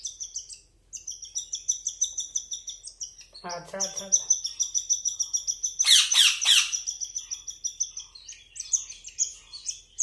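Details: Cockatiel chicks begging while being hand fed: rapid, high, thin chirps repeated several times a second, rising to a dense burst of raspy calls midway, with a person speaking briefly.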